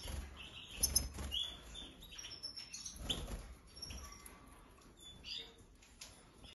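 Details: A mutation European goldfinch gives scattered high, thin chirps and brief twittering notes, with pauses between, over a low background rumble and a steady high hiss.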